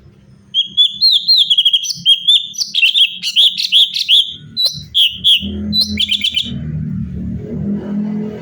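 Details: Active cucak cungkok bulbul delivering natural song variations for tutoring other birds; a fast cascade of bubbly whistles and sharp chirps lasting about six seconds, fading into low rumbling background noise.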